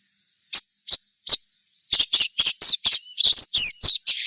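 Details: Crimson sunbird song meant to trigger other sunbirds into song: three spaced, thin high ticks, then a quickening series of sharp chirps building into a continuous twittering rush, with a faint high hiss behind.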